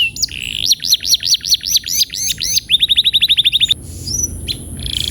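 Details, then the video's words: Canary singing, played to encourage rolling song: loud, bright trills of rapid repeated rising-falling notes, then a fast even trill of short notes, followed by thin high whistles over a low background rumble. "terapi burung kenari agar cepat ngeroll"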